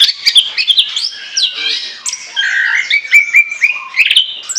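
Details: Orange-headed thrush singing freely and continuously, a recording meant as a lure: a rich, varied stream of whistled and scratchy notes, some sliding and some held steady, running without pause through the clip.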